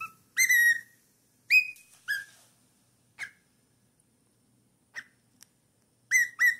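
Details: A cockatiel aged four months gives a few loud, sliding whistles with strong harmonics, separated by long quiet gaps and faint clicks, ending with a quick pair of whistles.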